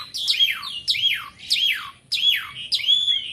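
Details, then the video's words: Nonstop song of a caged Asian pied starling: five loud, swooping whistled phrases, each sliding down from high to mid pitch, repeated about every 0.6 seconds, in a quiet setting. "JALAK SUREN GACORR,..Suara tiada henti henti"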